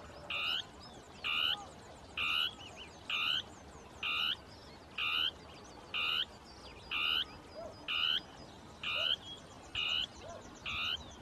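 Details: Northern tapaculo giving its territorial song, two birds interacting among shrubs; short burry notes repeated at a steady pace of about one per second, eleven in all, with faint high chirps in the background.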